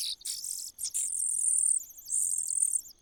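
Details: Cuckoo in a nest: a rapid, almost continuous stream of shrill, very high hissing notes that swell and break into jittery bursts, over a steady faint high whine.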